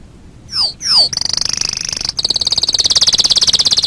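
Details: Canary singing, recorded as a master song for training birds: two loud descending swept notes followed by a rapid, very high pulsing trill that speeds and brightens toward the end.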